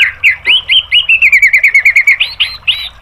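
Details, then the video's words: White-rumped shama song used as training material for caged birds: a brief rising note, then a fast run of about fifteen evenly repeated chirps, ending in louder upswept whistled phrases. "MASTERAN MURAI BATU biar EMOSI NYAUT jadi GACOR BONGKAR MATERI TEMBAKAN"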